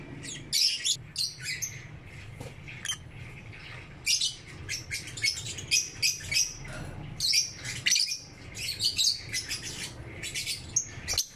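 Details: Morning chirping from lovebirds: sharp high squeaks and chattering twitters in irregular clusters, some louder squawk-like notes, with quieter gaps and a faint low hum beneath.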